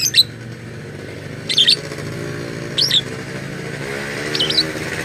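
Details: Lovebird said to mimic human voices, giving its strange calls: four short, high, squeaky chirps with quick twisting pitch, spaced about one and a half seconds apart, against a constant low droning hum.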